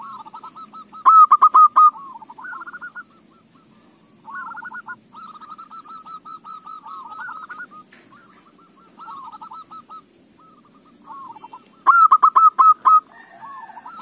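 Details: Zebra dove singing as bait for other doves: phrases of rolling coos recur every few seconds, two loud bursts of quick clipped notes standing out among quieter trilled passages.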